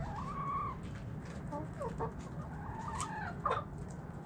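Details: Domestic chickens: a hen gives a drawn-out squawk, then short clucks and higher rising calls, with clicking scratches and low background hum.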